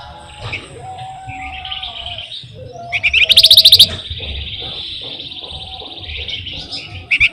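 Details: Flamboyan in busy full song, used as a lure to draw songbirds: a loud fast rattling trill midway, set among long sustained whistled tones and scattered chirps over low background hum.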